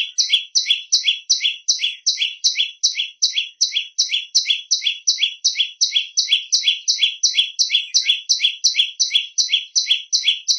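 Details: Prenjak lumut song used as a training recording for other birds: shrill, high two-tone notes repeated steadily, nearly three per second, throughout a clean recording with no other sounds.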